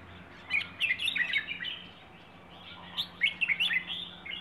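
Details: Rayong wild bird's plai ho song, made of two lively phrases of rapid, warbled chirps separated by a short gap, over light background hum.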